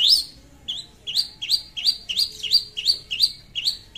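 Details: Lively long-tailed shrike calling out to a rival as a lure: quick hooked upswept chirps, about ten in four seconds, loud and steady, with faint hum beneath.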